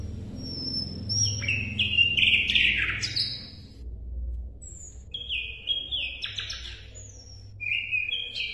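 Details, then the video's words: Song of an Asian brown flycatcher, recorded to tutor songbirds: a dense cluster of high whistles and twittering phrases, a lull with scattered thin notes, then further stepped whistled phrases; low rumbling and hum beneath. "SIKATAN LONDO MASTERAN"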